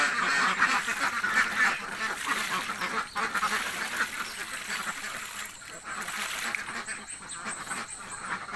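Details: A flock of hungry laying ducks in a village quacks in fast, overlapping nasal calls, loud at first and then easing slightly, with a brief knock near the middle.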